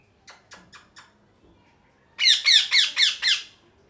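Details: Four quiet, clipped squawks are followed by a louder burst of five harsh, rasping parrot calls, rapidly repeated about four per second.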